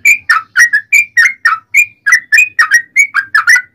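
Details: Yellow-vented bulbul singing a long, lively string of fluty slurred whistles to goad other bulbuls into answering; notes come in quick pairs and triplets, rising and falling, with almost no background sound.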